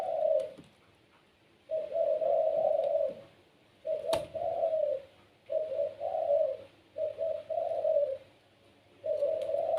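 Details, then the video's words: Captive pelung Barbary dove cooing steadily, a lively singer that prompts other doves to call. Mellow, rolling hoots come in short and long phrases about every two seconds, broken by a few sharp knocks and clicks. "PUTER PELUNG SUARA GACOR||Bikin puter lain ikut bunyi."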